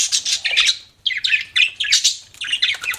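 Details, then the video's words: Budgerigars give quick, scratchy chirps in tight runs, a short break near one second, then a dense series of buzzy twittering notes. "BUDGIES CHIRPING SOUND"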